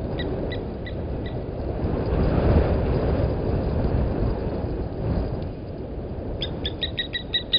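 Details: Blacksmith lapwing parent at its egg by Gowrie dam waterhole, Djuma Game Reserve, Sabi Sand, South Africa, 11:08 on 31 August 2020, gives quick runs of sharp metallic 'tink' notes at the start and end, over low rumble.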